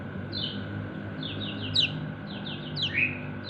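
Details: Kecial kuning white-eye calling to its companions: quick runs of thin, downward-sweeping chirps, some louder and sharper, clustered in short bursts against a constant droning tone and low noise.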